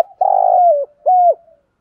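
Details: Single spotted dove coo phrase in the morning, from male and female birds used to excite captive doves: a long, buzzy, slightly falling note followed by a clear, even, shorter coo that drops at its end.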